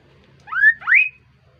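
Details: Melodious call of a kaso-kaso bird, two loud whistled phrases in quick succession, each rising in pitch, the second climbing higher and ending in a held note, with a quiet background hum.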